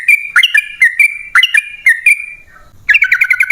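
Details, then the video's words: Lure song of yellow-vented bulbul meant to prompt caged birds to answer: short bubbly whistled phrases repeated several times, a brief pause, then a faster burst of rapid chattering notes. "Pancingan Trucukan PALING AMPUH! Burung Langsung Ngalas & Nyaut Gacor"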